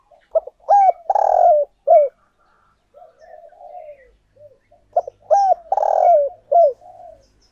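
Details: Decoy spotted dove calling to attract wild doves. Two loud coo phrases about four seconds apart, each of short rising notes and a long grating coo falling off, with soft low coos between.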